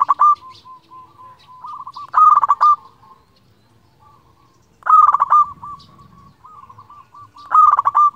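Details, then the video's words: Local zebra dove used to call rivals and stir other doves to sing: loud bursts of fast bubbling coos recur roughly every two and a half seconds, each trailing into a long string of soft, evenly spaced purred notes. "Perkutut lokal gacor Ahlinya memanggil lawan"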